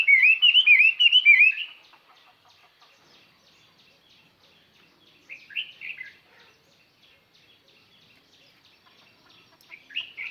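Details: Chinese hwamei used as a decoy to call in other birds: a loud burst of quick looping whistled notes for about two seconds, then quiet, then short fainter phrases.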